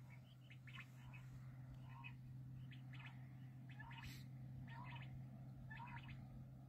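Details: Black francolin (kala teetar) uttering short, grating multi-note calls about once a second, over a steady electrical hum and broadband hiss.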